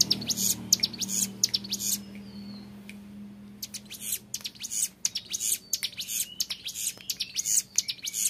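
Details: A young Hill Prinia's ngebren song: fast high clicking rattles, a near-silent pause of about two seconds, then renewed dense buzzy bursts. A faint low hum fades out early on.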